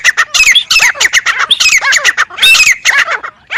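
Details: Grey francolin giving a loud, harsh, squawking chorus of rapid notes, densely packed and repeated without break for over three seconds.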